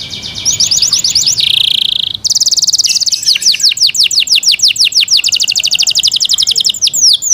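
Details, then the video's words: Caged Yorkshire canary in loud song: fast rolling trills of downslurred notes, a brief buzzy tour, then a long even run of rapid repeated sweeps. "Yorkshire canary Nice sound"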